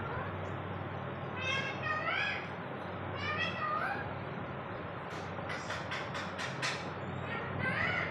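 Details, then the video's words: Pet talking parrot heard in a series of harmonic squawks and speech-like syllables with rising and falling inflections, followed by clicking, rapid bursts, against a constant low hum of background noise. "bolna Wala TOTA"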